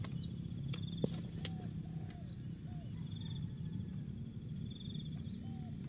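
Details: Spotted dove from Asia singing its jergot, tapau and bungkus styles: a short series of quiet, low, bowed coos repeated about every half second, then a final coo, under twittering birds, insect trill and background hum.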